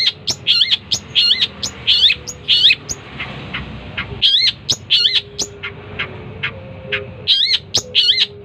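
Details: Long-tailed shrike giving loud, looping, slurred high notes in paired bursts, spaced irregularly with short pauses, sharp clicks between phrases and a faint steady low whistle in the background.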